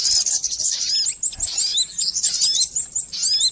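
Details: Sogon bird calls used as a lure for catching birds: dense, high, thin chirps and short up-slurred whistles overlapping continuously, like several birds calling at once, with little else audible.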